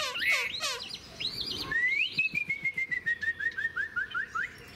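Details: Tame caged Chinese hwamei, set out in morning sun after fresh food, singing a few quick slurred notes, then a long clear series of even whistled notes, each a short rising slur, repeated several times per second.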